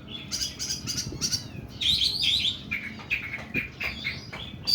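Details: Varied oriental magpie-robin song in the 'nembak' style, long and rough: fast scratchy notes, a twittering run and clear short whistles, with faint wingbeats and low background noise.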